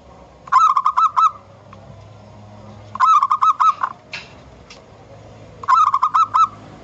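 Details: Wild local zebra dove in natural surroundings, used as a lure, singing three rapid stuttering bursts of short clear notes around two seconds apart, each phrase a quick run of about five bright pulses.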